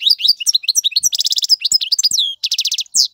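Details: Short burst of male European goldfinch song meant to teach young birds. Bright chirps and slurred notes lead into a rapid buzzy trill, then more twittering, a second trill and a final descending note.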